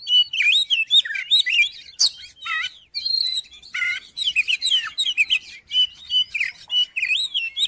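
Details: Song of an Oriental magpie-robin aimed at provoking another magpie-robin to sing; nearly nonstop stream of bright, looping whistles, sharp upward flicks and brief harsh notes, loud and varied.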